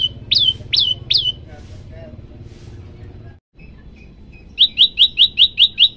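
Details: Prinia, a captive bird described as hungry, gives three sharp, high whistled notes, then after a pause a rapid run of about eight bright notes at roughly four per second, over a low hum.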